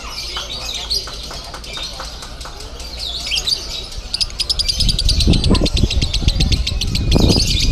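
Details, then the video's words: Konslet lovebird song at a Bandung contest: a continuous stream of rapid, high, ticking chirps that grows denser toward the end, with heavy low crowd rumble and handling noise. "LOVEBIRD KONSLET CRAZY"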